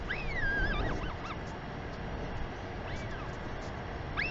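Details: Adult female Northern royal albatross at the nest in New Zealand greets her chick with a sky call, afternoon of 28 March 2021; a wavering, warbled whistle opens the clip, then single arched notes follow against strong wind rumble.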